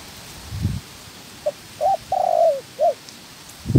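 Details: Trap decoy spotted dove in training utters a single four-part coo: a tiny note, a rounded coo, a long trilled coo dropping in pitch, then a short coo, between low thuds.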